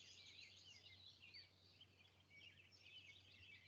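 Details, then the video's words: Hermit thrush, Vermont's state bird, sings high, fluty, swirling notes running almost without pause over a quiet, low room hum; thrushes can sing two notes at once. "It's the hermit thrush, known for its beautiful song."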